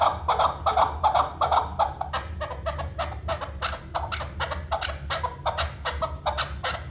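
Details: Chukar partridge, named as the national bird of Pakistan, in a hunting setting: loud rhythmic series of harsh clucking chuk notes, about two or three per second, steady throughout, over a low hum.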